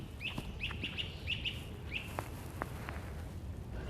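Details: American Redstart singing in Central Park, New York, a quick run of five thin, very high, evenly spaced notes from up in the branches, followed by a few sharp downslurred chips, over a low rumble of city noise.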